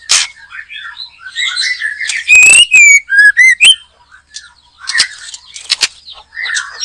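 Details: White-rumped shama singing in a backyard during bird trapping: loud clear whistled phrases, rising and falling, mixed with sharp clicking snaps and softer chattering notes between bursts.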